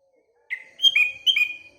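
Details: Morning sooty-headed bulbul among surrounding birds: one fluid phrase of three or four clear whistled notes with a bubbling quality.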